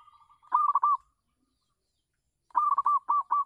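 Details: Local zebra dove singing on a house terrace, kept as a lure for other doves: two bursts of rapid, stuttering, rolling coos, each about half a second long and separated by a silent pause.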